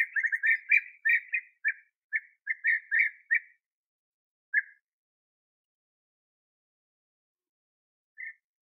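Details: Bee-eaters feeding young at the final nest burrow on a sunny, 21°C day, 8 August 2017; a quick chattering string of trilled notes fades to two isolated calls, then silence.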